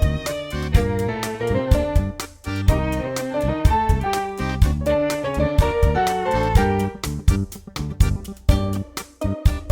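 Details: Instrumental music with piano-like notes and plucked and bowed string sounds, shifting melodies over a steady low accompaniment, with no animal voices.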